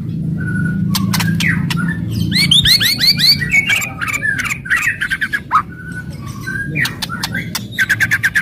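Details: Loud crackling White-rumped shama song meant to rile rival shamas, with rapid stacked rising chirps in a quick series, sharp clicks and short whistles, over a low droning background.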